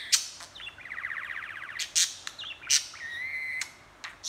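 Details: Pet budgerigar talking and chattering, with a buzzy, rapidly pulsed warble, a steady whistled tone and sharp broadband clicks and squawks scattered through it.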